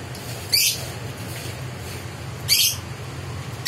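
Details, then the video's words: Lovebird in strong breeding condition and still without a mate gives short, harsh, shrill chirps about two seconds apart, with a steady low hum behind. "Lovebird Birahi tinggi"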